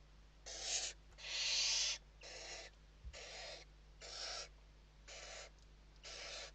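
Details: Barn owl nest interior, Spain, evening feeding in November 2023: seven short rasping hisses in quick succession, one long loud burst near the start, the rest softer, over a faint hum and one knock.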